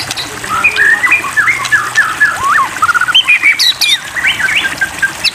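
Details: Murai batu, the white-rumped shama, in a water-therapy track for prompting birds to sing: loud warbled phrases of zigzag whistles and rapid fluttering notes, with brief high squeaks mixed in.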